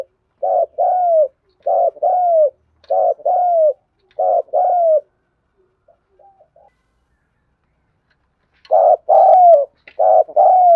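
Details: Spotted dove cooing in 'thúc gù' style. A run of low paired coos, a pause with only faint soft notes, then the rolling two-note coos start again, louder.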